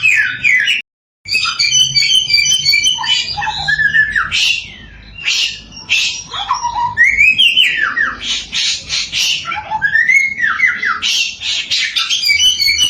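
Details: Chinese hwamei, locally samyong, a nonstop lure song meant to provoke other samyong into singing: varied loud whistles, falling and rising slurs, buzzy bursts and trills, broken by one short silent gap near the start.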